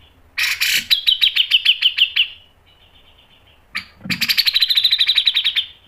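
Grey-cheeked Bulbul giving two bursts of rapid, sharp high notes, about a dozen each, sliding slightly downward; no other sounds.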